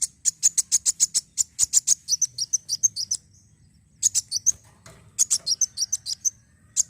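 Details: Black sunbird song played to stimulate other birds to sing: rapid bursts of very high, sharp chirps, about ten notes per burst, with short pauses between phrases and a soft low hum underneath.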